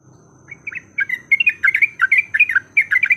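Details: Short yellow-vented bulbul fighting song used as a lure: chirps start softly, then build into brisk, bubbly warbled notes, over low background noise and a thin steady high tone.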